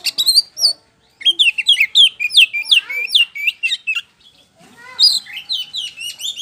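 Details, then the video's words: White-rumped shama song used as a lure for answering birds: fast, rolling chains of sweeping, descending whistled notes, pausing briefly and resuming in a second quick run. "DIJAMIN NYAUT DENGAN PANCINGAN KACER POCI GACOR NGEPLONG INI"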